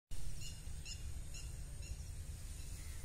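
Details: Wild birds in spring 2023 in Northern California on the US West coast. Short, high, thin chirps come in a loose series of quick notes over a steady low rumble of wind or background noise.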